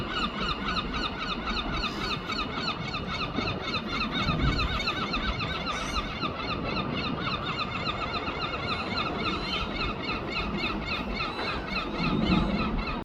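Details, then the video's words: Many gulls in London call over one another in a steady squealing chorus of harsh, repeated mewing notes, with a low background rumble underneath. "The Singing Seagulls"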